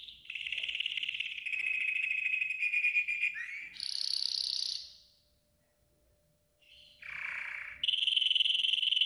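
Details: Yellow golden canary in training song: a long rolling trill, a dipping whistled note, a loud high buzzy burst, nearly two seconds of silence, then a lower roll and a bright sustained trill.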